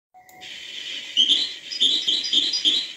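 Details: European goldfinch song in the hbal style: after a faint lead-in, rapid high twittering phrases with bright tinkling notes arrive in bursts roughly every half second over a steady high hiss.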